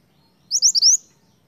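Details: Snowy-browed flycatcher singing vigorously, a lure recording for attracting wild birds: one short, very high phrase of four thin, rising, whistled notes, the last one longest, over a quiet background.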